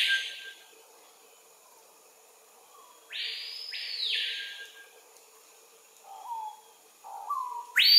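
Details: Lekking adult male screaming piha, Kourou, French Guiana, 25 September 2023 at 13:00: after silence, two extremely loud whistled screams rising steeply then falling, followed by soft low slurred notes and the start of another scream.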